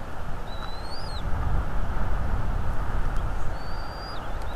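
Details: Bald eagles at their nest in North East Florida on a February 2022 evening, picked up by a nest camera: thin, high whistled calls, some rising then dropping, over heavy low rumbling wind noise.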